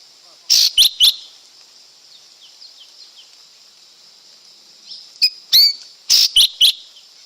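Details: ['Lesser green leafbird song in two bursts of quick, sharp chirps and clipped whistles, separated by about four seconds of a steady high hiss.']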